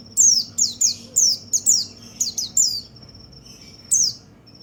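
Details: White-eye singing to stir other white-eyes into song, with quick bursts of high, downward-sweeping chirps, several in rapid pairs, thin sustained tones between them, and a last chirp after a short pause.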